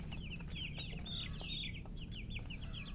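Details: Several baby chicken chicks, thirsty for drinking water, peeping constantly: rapid, high, short downward-slurred chirps overlapping from many birds, over a steady low rumbling background hum.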